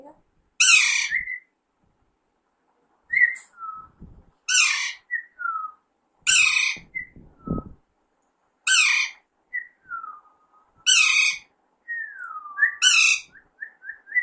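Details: Alexandrine parakeet, said to be a baby, repeating loud, rasping screeches every two seconds or so. Each is followed by one or two soft, falling whistled notes, and a run of short whistles comes near the end.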